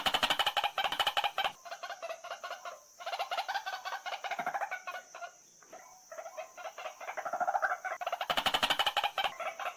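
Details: Rhythmic, harsh repeated notes of a white-breasted waterhen, about three per second in dense bursts that rise and fall in loudness, over a constant high-pitched hiss.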